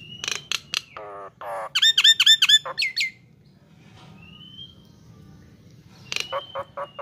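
Nias hill myna delivering a loud, varied burst of rich whistles, squeaky chuckles and nasal harmonic notes, then a slurred whistle and another rapid squeaky series over a faint hum.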